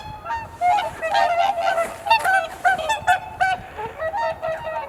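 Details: A flock of swans on Kotoku Pond in Japan greeting the dawn blue hour with a dense chorus of overlapping nasal, trumpeting honks, a rapid run of calls crowding one after another, with faint background noise from a camera's built-in microphone.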